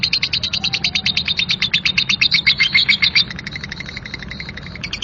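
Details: Lovebird delivering a rough 'ngekek' song: a long, unbroken run of harsh, scratchy chattering notes, about four per second, that fade slightly after three seconds while the chatter continues softly to the end.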